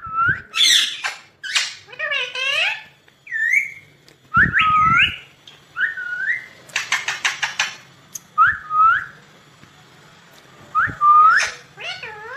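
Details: Pet ringneck parakeet said to be talking, saying 'mummy papa': a series of short curved, rising whistled notes with harsh squawky syllables, a loud burst near four seconds and a rapid buzzy run around seven seconds, separated by quiet gaps.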